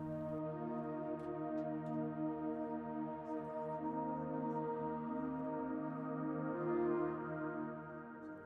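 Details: Steady ambient music with sustained, layered tones; no animal calls are heard.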